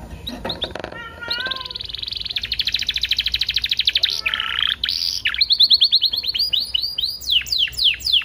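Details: Canary singing a lure song meant to prompt other canaries to sing, delivered in varied phrases: short chips, then a long rapid trill, a sustained whistled note, and a closing series of sweeping, repeated upslurred notes.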